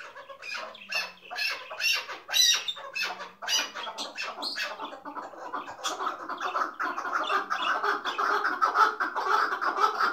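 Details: Chukar partridge of the hıngırmacı kind, known as king of partridges: harsh squawking notes spaced in a loose rhythm, then merging into a fast, continuous, rasping chuk series that grows louder toward the end.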